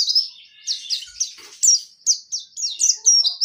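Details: High, sharp downslurred chirps from a Pacitan dakun white-eye in ngerol nembak style, delivered in quick succession about every quarter second, clear and dominant.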